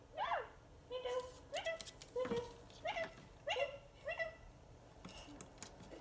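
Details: Pet Indian rose-ringed parakeet kept indoors: a series of loud, harsh squawks, each sweeping down in pitch, repeated roughly every half second to one second in an irregular run, with a quiet room in the background.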